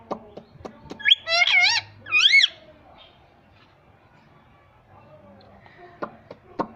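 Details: Pet ringneck parrot that talks and says "Mummy": two loud, wavy, harmonic-rich utterances about a second apart, then quiet with scattered sharp clicks and taps nearby.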